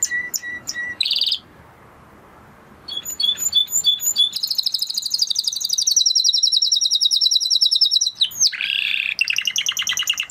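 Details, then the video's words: Spanish Timbrado canary delivering short clipped notes, a buzzy burst, then after a pause a long fast rolling trill that gives way to a lower buzzy phrase and another quick trill. "Canary Sound Effect - Canary Singing Video"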